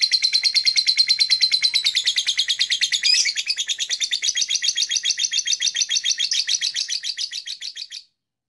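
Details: Blue-colored black-masked lovebird giving long, continuous chirping, a fast, even train of sharp, high pulses repeated steadily for about eight seconds, briefly shifting pitch midway before fading out.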